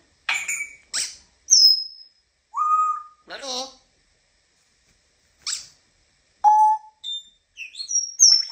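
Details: African grey parrot talking and whistling indoors: a string of short word-like syllables mixed with clear pure whistled notes at varying pitches, some rising, spaced through the clip with brief pauses.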